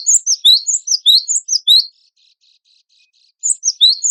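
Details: Cinereous tit singing in a compilation of contest-bird song for training, with rapid high chirping notes in quick runs, a pause of soft faint twitters, then another fast burst of sharp, bright phrases.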